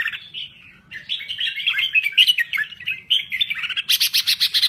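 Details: Lively song of a crested bulbul from Thailand: flowing, liquid warbles glide up and down, then finish in a fast series of about eight sharp, evenly repeated notes.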